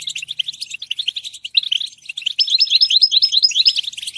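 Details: European goldfinch giving rapid, chirping song, a stream of bright twittered notes that grows louder and busier in the second half, with a short lull near the middle.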